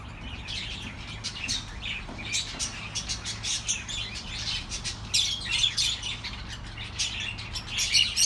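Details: Busy twittering meant to keep lonely pet birds company: rapid, dense high chirps pile up continuously, growing louder toward the end, over a constant low drone.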